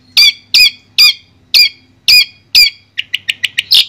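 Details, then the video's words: Long-tailed shrike from Madura, Indonesia, in a clear tutor recording: six loud, harsh, harmonic rasping notes spaced about half a second apart, then a quick run of short, sharp, high chips. "Suara Jernih Masteran Burung Cendet Madura"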